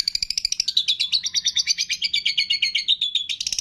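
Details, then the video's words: Long-tailed shrike singing a training song packed with imitations of cililin, fighting sparrow, lovebird, tengkek and kapas tembak. Fast, steady run of high, scratchy chirps, about eight notes a second, wavering through the whole stretch. "MASTERAN CENDET ISIAN CILILIN, GREJA TARUNG, LOVE BIRD, TENGKEK, KAPAS TEMBAK"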